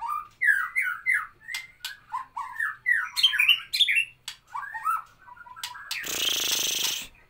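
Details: White-rumped shama delivering 'nembak kapas tembak' song, a rapid run of rich whistled slurs, several each second, rising and falling between low and high notes, ending in a harsh noisy burst.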